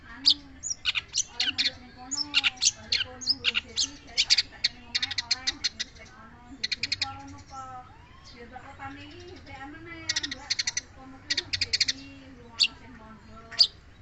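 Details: Long-tailed shrike song in clusters of harsh, clicking high notes and rattles, separated by brief pauses, with faint low wavering tones throughout.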